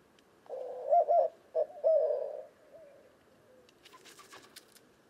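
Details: A white-winged dove of western North America delivers one full cooing phrase, low and throaty with accented middle notes and a drawn-out ending, followed by quiet with faint rustling.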